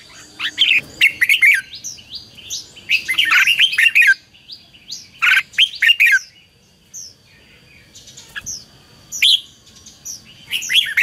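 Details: Red-whiskered bulbul in competitive song, played as a decoy to call wild birds and train captive ones: clusters of sweet, twisting whistles in busy bursts separated by silent gaps, with a thin steady high tone behind.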